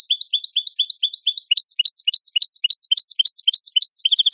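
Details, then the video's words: European goldfinch clean song, recorded for training captive birds: a fast, continuous twitter of high, bright notes in quick repeated pairs, shifting into varied chirps and ending in a short rapid burst; no background noise. "Canto limpio de Jilguero"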